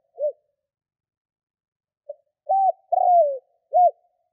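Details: Decoy spotted dove from Vietnam calling to lure wild doves. An isolated arched hoot, then a faint lead-in, a hoot, a long downward-sliding coo and a closing hoot, all low and mellow.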